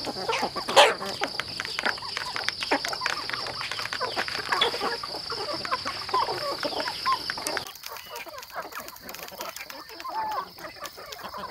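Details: A flock of home-raised chickens on a farm keeps up dense, rapid clucking and scratchy calls. A loud high hum fills the first part, then drops away, leaving quieter clucks.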